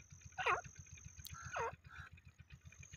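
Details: Francolin call played as a hunting lure: two loud, harsh hooked notes, each sliding down then curling back up, about a second apart, over a steady low mechanical throbbing and a thin high whine.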